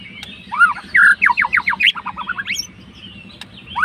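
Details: White-rumped shama, a fighter, singing to provoke a rival: a slurred whistle, then a rapid string of sharp repeated notes and descending trills, a pause, and a final rising whistle, over a low hum.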